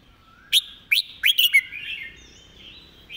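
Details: Red-whiskered bulbul singing a quick, repetitive master phrase: four loud, clipped, bright notes in close succession, then a trailing run of softer, wavering warbles.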